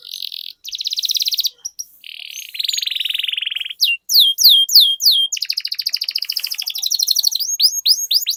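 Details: Long rolling canary song for encouraging other canaries to sing: alternating buzzy rattling trills of different pitch, then runs of sharp descending whistled notes and fast trills.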